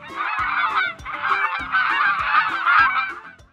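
Canada geese honking, a loud, nasal run of overlapping honks that seem to come from several birds at once, with faint low tones underneath.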